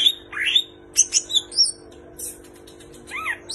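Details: Greater green leafbird delivering a song stuffed with kapas tembak and cililin imitations: a rising whistled slur, a cluster of high thin pips, then a short rattle and a double upward-arched note over a low hum.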